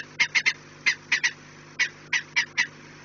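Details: Peregrine falcons at the nest, recorded 4 March 2019 at 16:28: harsh, grating kak notes in quick bursts of two or three, about ten calls in three seconds, over a steady low hum.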